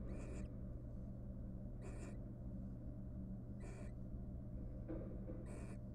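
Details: Wild barn owls courting inside a monitored nest box after raising three young: rasping hiss-screeches repeated about every two seconds, plus one softer, lower call, against a continuous low drone.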